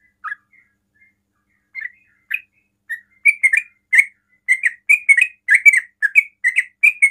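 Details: Sooty-headed bulbul starting with scattered single chirps, then speeding into a quick 'ropel' run of bright slurred notes, sung to draw answers from other bulbuls.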